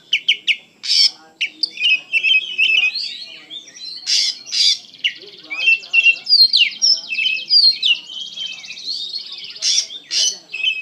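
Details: Oriental magpie-robin singing vigorously and emotionally: loud harsh notes alternate with rapid trills and buzzy rattling passages, forming a long, varied, nearly unbroken outpouring.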